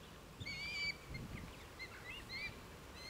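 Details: Over 100 red kites in East Northants, England, on 23 November 2015, give thin, high whistled calls, one long wavering note and several shorter ones, over low wind rumble.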